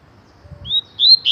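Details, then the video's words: A short burst from a coleiro (Double-collared seedeater) singing 'tui tui': a soft rising whistle and a louder slurred note, with faint low rumbling underneath. "COLEIRO TUI TUI"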